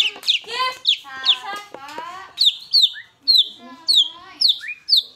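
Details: White-rumped shama in vigorous fighter-style song, delivering loud, high, sharply descending whistled notes repeated in quick bursts alongside harmonic-rich chattering phrases.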